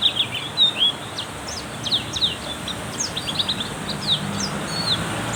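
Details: Black-capped white-eye singing more intensely in heavy rain: rapid, high, thin chirps and short slurred whistles in quick uneven bursts, set over a steady hiss of rainfall.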